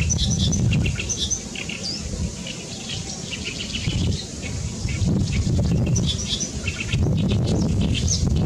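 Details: Great reed warbler singing loudly on 14 May 2021: harsh, chattering notes repeated rapidly, about four per second, with squeaky high elements, over strong low wind rumble.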